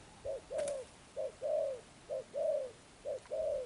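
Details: Spotted dove giving "sấm thổ" style coos: paired hoots, a brief clipped note then a drawn-out, slightly falling coo, in a steady rhythm about once per second against a quiet background.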